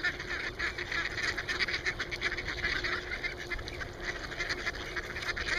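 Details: A crowd of hungry mallards at a pond gives a dense, continuous chorus of quacks and nasal chatter, many birds calling over one another.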